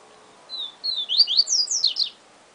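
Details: Papa-capim, the yellow-bellied seedeater, giving a siu siu song phrase: two drawn-out whistles opening into a fast series of bright, descending slurred notes, lasting about one and a half seconds.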